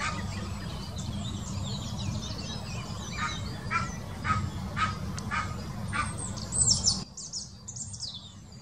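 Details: Mating call of an Egyptian goose, recorded in the Wittlicher Senke in 2018: rough, rasping honks repeated in an uneven series, with thin high squeaky notes near the end and constant low background rumble.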